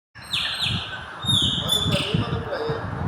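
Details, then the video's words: Chopi blackbird in breeding season, mating and building a nest on the roof of a gas station; clear, sustained whistled notes with sharp downward slurs, repeated in quick series, over low traffic rumble and some voices. "PÁSSARO PRETO EM FASE DE ACASALAMENTO"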